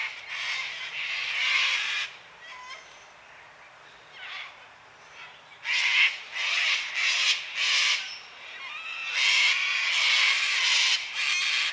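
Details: Several cockatoos on a quiet Sunday afternoon, around 5 pm, give loud, harsh, raspy screeches in bursts of a second or so, calling in quick succession with brief pauses between.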